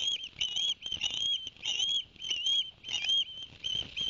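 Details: Osprey calling at a Barnegat Light nest cam, 11 September 2021, on a day the male brought two fish to the young; shrill whistled notes come in clustered bursts with brief gaps, about every half second.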